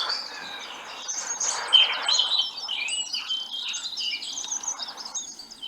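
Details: A Eurasian blackcap, an elusive woodland species, pours out a rich, continuous warble of quick, varied notes, with clear fluty phrases rising through the jumble. It runs on without pause, as its long song often does.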